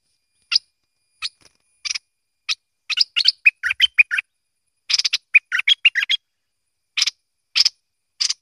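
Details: Bulbul, known locally as merbah lekir or kuning, giving scattered sharp chirps that build into bursts of quick whistled and buzzy notes, with short pauses between the phrases.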